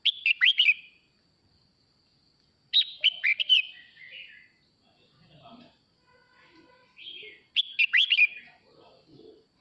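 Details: Male red-whiskered bulbul singing to call the flock: three bursts of bright, warbled whistled phrases with quick up-and-down notes, spaced by pauses of about two seconds, with faint lower twittering between bursts.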